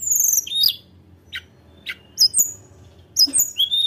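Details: Tledekan gunung (Sunda robin) singing to provoke rivals: opens with a loud high whistled phrase, then spaced sharp chips about every half second and more bright falling whistles toward the end, over a faint hum.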